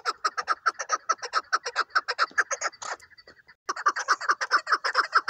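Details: Chukar partridge used for hunting, calling in rapid, rhythmic harsh clucks, about two to three per second, breaking off for a moment midway and then starting again just as strongly.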